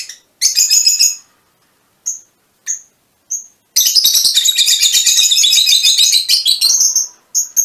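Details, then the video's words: Fischer's lovebirds, mutation variety: a shrill chattered burst, then single high whistled notes repeated roughly every half second, leading into a long unbroken stretch of rapid buzzy chatter. "mutación del agapornis - mutation fisher lovebirds"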